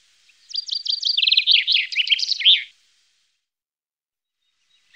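Common chaffinch song: about two seconds of bright notes tumbling downward in a quickening rattle, ending in a sharp flourish, then silence.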